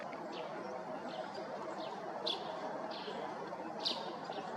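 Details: White-bellied drongo on a perch at Ghana Bird Sanctuary, Bharatpur, Rajasthan, India, in February 2021, giving brief sharp high notes at an uneven pace, some slurred downward, over a steady background hiss.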